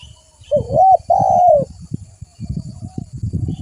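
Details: Lively spotted dove (tekukur) in a bird-luring recording: one phrase of a wavering hooked coo followed by a long, smooth falling note, with low knocking and rumbling noise continuing afterwards.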